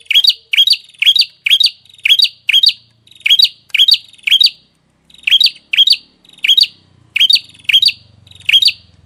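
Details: A songbird used for song tutoring repeats loud, sharp upswept chirps in quick bursts, with a short pause mid-clip before the ringing notes resume; faint low hum underneath.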